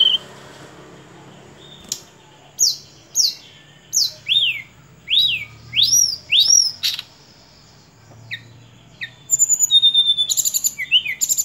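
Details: Sunda robin song of clear whistled notes rising then falling, repeated about every half second in a steady series, ending in a fast high trill of rapid chips.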